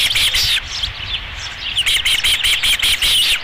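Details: High, urgent chirping from an osprey on its Dunrovin Ranch nest, 11 July 2016, second fish brought in: a short loud flurry, a brief lull, then a regular series of sharp whistled notes.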